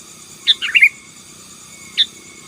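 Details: Sooty-headed bulbul in 'gacor' song for dominating rivals: one rich, bubbly phrase of quick liquid notes, then a single short chirp, with a faint steady tone in the background.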